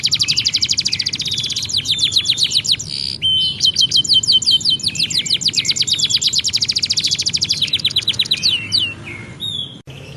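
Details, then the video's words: Lively canary singing as a tutor song for young canaries, with long rapid rolls of sharp high notes, short buzzy bursts and clean whistled pauses between bouts, over a faint low hum. "Kumpulan Video Burung Kenari Gacor"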